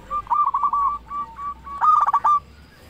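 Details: Local zebra dove in full, loud song, used as a lure to get other zebra doves singing: stuttering, mellow cooing notes, a few spaced beats, then a rapid rolling burst.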